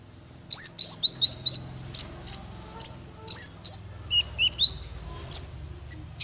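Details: Male kolibri ninja (konin), used as a tutor song for training songbirds: rapid high, sharp chirps and short rising whistled notes in quick clusters, some lower slurred notes near the end, quiet background.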